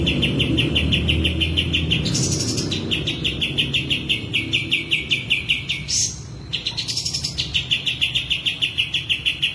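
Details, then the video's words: Kapas tembak in breeding condition with tail spread, delivering a long fast series of short chirping notes, about three per second, with brief higher buzzy breaks. "full kapas tembak gacor buka ekor birahi"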